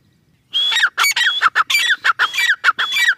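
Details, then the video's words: After a brief silence, a grey francolin in its breeding season, late in the season, bursts into loud, rapid, repeated phrases. Each pairs a high whistled note with falling chirps, and the pattern repeats steadily to the end. "Teetar ki awaz | teetar sound"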